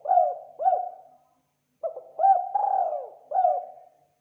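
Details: Spotted dove giving a clean call recorded for luring birds: low, soft cooing notes that each start with a short upward hoot and then sag. They come in two phrases separated by a brief silence, with a longer drawn-out coo in the second phrase.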